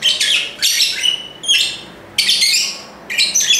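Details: Shrill lovebird calls in a noisy chorus: grating, raspy screeches in clusters, separated by short quieter pauses, with a thin whistled note running through some of them.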